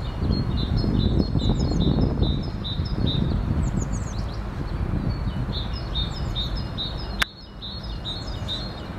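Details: A great tit sings high, ringing two-note phrases repeated rapidly, about three per second, with a wood pigeon in the background, over a steady low rumble and one sharp click near the end.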